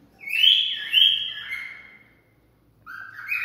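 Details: Cockatiel song used for mating stimulation: a long clear whistle gliding gently downward over about two seconds, then silence and a short low-to-higher whistled note.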